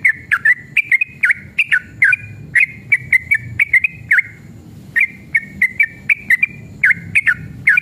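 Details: Sooty-headed bulbul in an aggressive, excited mood giving long rapid 'ropel' song, used as a lure to make other bulbuls sing: quick fluty whistled notes with down-up slurs in brisk runs, sharp clicks between notes, low background rumble.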